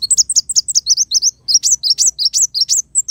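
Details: Sunbird known locally as kolibri wulung, its song used for tutoring songbirds: a rapid, steady stream of high, slurred chirps, each note dipping then rising, about three per second.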